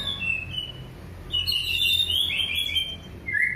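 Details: Orange-headed thrush giving a clear, relaxed 'gembling ngeplong' song used to stir silent birds into singing: a brief high whistle, then a dense warbling run of high notes ending in a rising slur.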